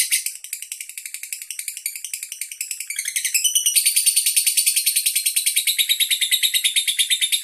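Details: Handler-kept andong lovebird from Bandar Lampung, Indonesia, displaying song duration: a somewhat softer, twittering opening that builds into loud, rapid, shrill chattering repeated about three times a second.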